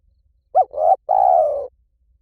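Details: Spotted dove giving a short hooked note joined to a swelling coo, then a longer burred coo held evenly before tailing off. Quiet setting with no other birds.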